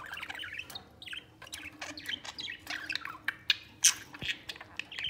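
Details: Budgerigars, three together, playful and affectionate: a steady warbling chatter of fast chirps and descending squeaky notes, with a soft thump near the end.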